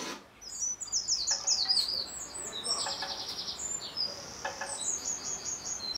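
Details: Eurasian wrens in a garden reacting to playback of their own recorded song: bursts of very high, rapid trills and twittering notes, loud and tumbling, with brief gaps between phrases.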